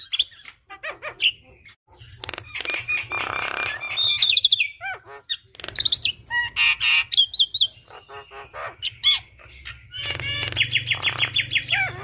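A Javan myna pours out a varied song of whistles, rattling trills, chatters and harsh squawks, phrases tumbling quickly with brief pauses; a low hum runs underneath.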